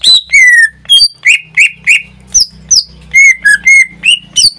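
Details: Caged greater green leafbird singing in full voice: a rapid, continuous run of loud, sharp whistles, each note sliding down or rising, repeated about every third of a second, with a low electrical hum underneath.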